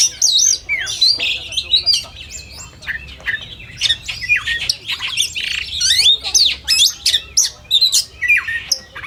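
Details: Simulated contest of oriental magpie-robin song: loud varied whistles and harsh squawks open, then clusters of quick chirps and slurred notes repeat with brief breaks.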